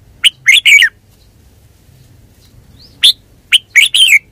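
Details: Red-whiskered bulbul, a kept bird, singing two quick chattering phrases of bright slurred notes, separated by a two-second pause.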